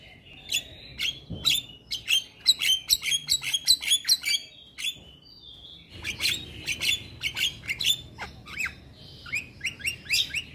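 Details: Male white-eyed Javan myna singing to encourage lazy mynas: lively, fast chatter of sharp chirps and whistled notes clustered around mid-high pitch, a brief lull midway, then renewed busy chattering.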